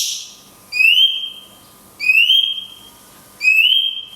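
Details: Cungkok in "tembakan kunti panjang" style, with natural pauses, used to train songbirds: three clear rising whistles, each held briefly, spaced about 1.3 seconds apart.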